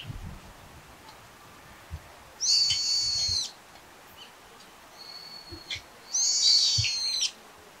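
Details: Brown-eared bulbul uttering two loud, harsh, screeching calls, each about a second long, separated by a faint high whistle, with quiet clicks and soft thumps in the background.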